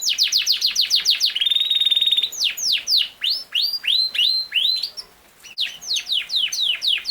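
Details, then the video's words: A singing Yorkshire canary gives a fast, bright song: rapid repeated chips, a sustained rattling trill, then a series of ringing downslurred whistles. "BEST CANARY SINGING"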